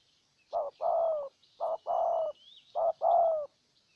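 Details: Spotted dove from Ninh Thuận, Vietnam, a strongly cooing decoy bird luring a wild dove in a second round: three paired coos, each a short note followed by a longer, level, mellow coo, repeating about every 1.2 seconds, with faint high chirps behind.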